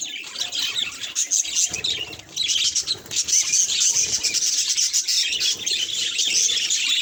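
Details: Mirror-facing budgerigar giving a quieter opening, then a burst of loud, continuous high chirps and rasping warble that carries on to the end.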